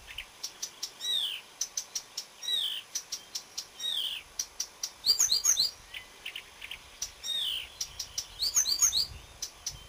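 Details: Singing Marsh warbler, 30 May 2010: rapid series of clipped high notes alternating with downslurred whistles and dense buzzy, chattering phrases, delivered continuously and varying from phrase to phrase.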